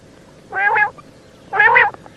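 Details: A calling female quail makes two coarse, nasal bursts with stacked tones, one second apart.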